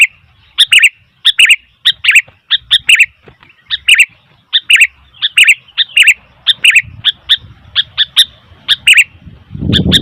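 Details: Sooty-headed bulbul calling noisily, a long series of clipped, bright chirps repeated irregularly about one and a half per second, mostly against quiet, with some low rumble near the end.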